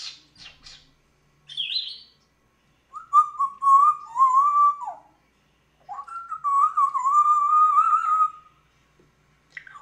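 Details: African grey parrot imitating a cat's meow: a brief high squeak, then two long, drawn-out whistled notes with a wavering pitch, each lasting about two seconds and separated by a pause, indoors.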